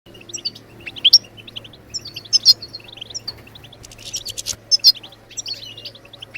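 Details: European goldfinch song played to stimulate other birds to sing: rapid twittering chirps around high pitch, with louder sharp notes roughly every one to two seconds and a faint low hum underneath.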